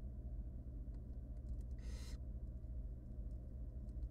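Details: Wild barn owl nestlings, three tiny hungry chicks fed by their mother in a monitored nest box, give a single short, harsh hissing rasp over a steady low hum.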